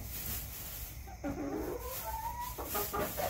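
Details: Domestic chickens in a backyard giving drawn-out, tonal, nasal calls, the second rising in pitch, followed by a few quicker clucks against a steady low hum.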